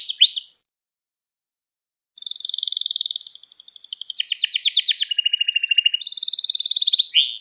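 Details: Canary training song for young birds: a short chirp phrase, about a second and a half of silence, then a long fast trill rolling at two levels, shifting to a lower rattle and a clear whistled note before a final chirp.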